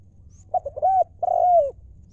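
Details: Spotted dove, a 'lio'-style decoy call for luring wild doves: two short clipped coos, then a smooth arched coo and a long drawn-out coo that sags at the end, all low and mellow.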